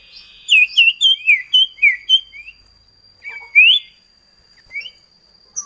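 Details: Common iora duet, used as a lure to get kept birds singing: a run of about seven sharp, bright whistled notes in quick succession, then a short gap and one rising slurred whistle, over a faint steady high tone.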